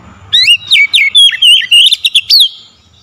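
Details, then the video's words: Oriental magpie-robin singing, played as a lure to set off singing: a dense three-second burst of about ten loud, slurred whistles that swoop and twist, with no pause between notes. "SEKALI PANCING KACER LANGSUNG GACOR NAIK EMOSI"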